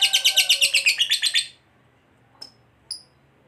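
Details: Fighter lovebird giving ngekek chatter to provoke other lovebirds: a quick, pulsed trill of about a dozen notes lasting one and a half seconds, followed after a pause by two short, thin, high chirps.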